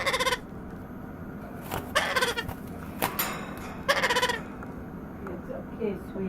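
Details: A baby White-capped Pionus parrot, about 9 weeks old and learning balance, makes hunger noises: three loud, nasal, bleating begging calls with a wavering quality, then a few softer ones, against steady background hiss.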